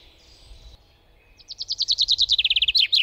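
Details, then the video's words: Common chaffinch singing a fast, accelerating series of clear, descending notes, each repeated about every tenth of a second and growing louder, after a softer earlier phrase; faint low background noise. "Common Chaffinch - Bird Song"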